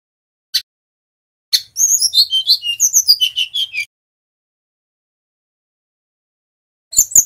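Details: Bali male brown-chested jungle flycatcher: a couple of isolated sharp notes, then a two-second tumble of rapid high chirps and whistles, a long pause, and a final short burst.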